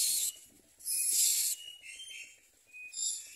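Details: Nestling common mynas begging with mouths open for food: loud, raspy hisses in uneven bursts, the longest about half a second, with short thinner squeaks between them, in a quiet setting.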